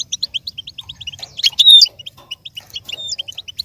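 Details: A goldfinch sings as stimulation for learning and imitation: fast, evenly spaced high chirps with a brief rich warbled flourish in the middle, over a soft low background hum.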